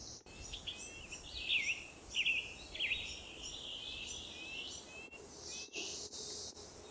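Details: Western Tanager song from Coast Range foothill woods in spring; three raspy, burry robin-like phrases about two-thirds of a second apart, simple and slightly hoarse, followed by a hissing wash of higher noise.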